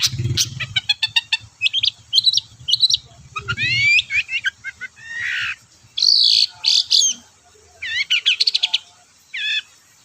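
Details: Long-tailed shrike (cendet) song used as a provoking lure for quiet shrikes: an energetic medley of rapid ticking trills, slurred whistles, buzzy notes and harsh chatter, with a low rumble early on.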